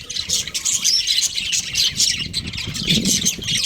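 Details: Breeding pair of budgerigars chattering in high, rasping warbles and clipped chirps, a busy unbroken stream with a soft low rumble underneath toward the end.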